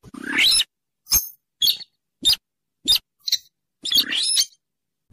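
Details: Rail known as weris, sintaran sawah or mandar dengkur, a Rallidae bird of swamps beside rivers or lakes, played to lure for trapping: a grating rasp, a series of short sharp clicks, then another rough screechy rasp.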